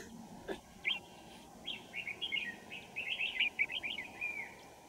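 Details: Red-whiskered Bulbul singing during wild-bird trapping at Kim Bôi, Hòa Bình, on a winter morning, 3 January 2018: a near-continuous chattering warble of quick liquid notes strung into rapid phrases, over a faint hum.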